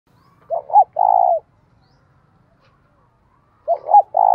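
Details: Decoy spotted dove calling to provoke rival doves into cooing and fighting: two three-part coo phrases about three seconds apart, each two short hooting notes followed by a longer steady coo, with quiet background.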